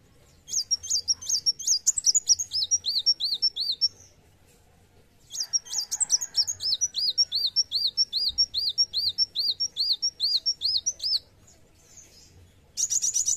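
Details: Olive-backed sunbird in fighting mood delivering long runs of high, sharp, downslurred chips at about two or three per second, each run lasting several seconds with a short silent gap, ending in a dense high buzzy trill.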